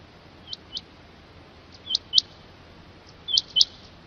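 Rain quail giving sharp, high, paired notes, three doublets about 1.4 seconds apart, over a quiet, steady background hiss.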